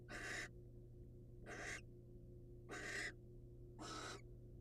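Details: Wild barn owl pair as the male presents prey to the female; four harsh breathy screeches, each about half a second long and roughly a second apart, above a steady low hum.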